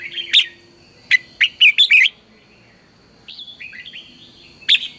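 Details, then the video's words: Red-whiskered bulbul lure song for morning voice training: a clipped note, then a string of four bright, bouncy warbled notes, a soft descending twitter, and one more sharp note at the end; faint steady high tone throughout. "luyện chào mào hót sáng, Hót hay KÍCH BỔI NHANH CĂNG LỬA"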